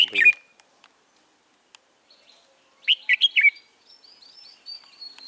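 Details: Red-whiskered bulbul early in the season, recorded 13 March 2017. A loud, bright warbled phrase opens, then a quiet gap. A burst of three or four quick chirpy notes follows, with faint high thin whistles trailing off.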